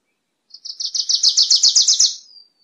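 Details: Wilson's warbler song as a crisp series of about a dozen evenly spaced, high chipping notes that swell in loudness, then fade into a thin trailing whistle.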